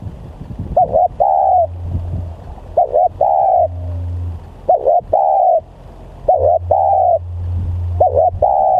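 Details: Spotted dove, described as a very vocal lure bird, repeats its cooing phrase five times. Each is a brief two-part note leading into a drawn-out steady coo, roughly every two seconds, over a low droning hum.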